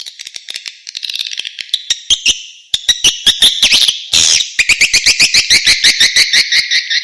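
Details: Edible-nest swiftlet outdoor lure call, played to attract swiftlets: rapid trains of high, buzzy chirps, about 160 a minute, with a brief louder noisy burst in the middle.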